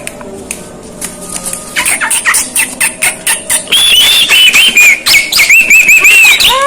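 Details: A Javan myna's odd vocal display: sharp clicks and ticks, then a high wavering whistle that rises and falls in quick loops, ending in a curved upslurred note.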